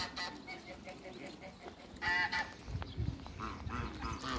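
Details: Large African geese, a pair, calling: a series of short, evenly spaced nasal notes, then one loud, ringing honk mid-clip, followed by softer scattered calls and some low thumping noise.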